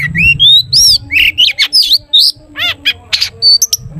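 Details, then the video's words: Long-tailed shrike singing loudly to draw out other shrikes: a fast, varied medley of rising whistles, harsh squawks and down-slurred harmonic notes, packed closely over a low hum. "cendet gacor TOET TOET buat pancingan cendet agar bunyi"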